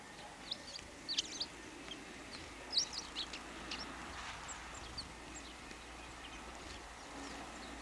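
Eurasian tree sparrows give short, high chirps in scattered bursts of two or three, over a steady background hiss.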